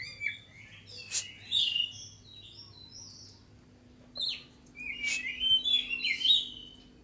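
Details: Tame oriental magpie-robin singing varied whistled and scratchy phrases in bursts, with sharp clicks and short pauses between phrases, over a faint low hum.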